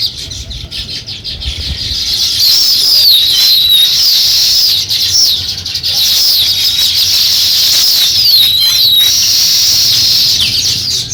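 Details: Sparrows at the start of nest building: steady, busy twittering of many high chirps and short sliding notes, running almost without a break.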